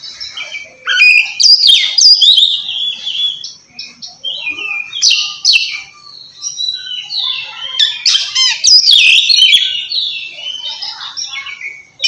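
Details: Oriental magpie-robin in loud full voice calling out a rival, meant to coax reluctant birds into singing; fast mixed phrases of sweet whistles, slurred rising and falling notes and scratchy bursts follow one another with brief gaps.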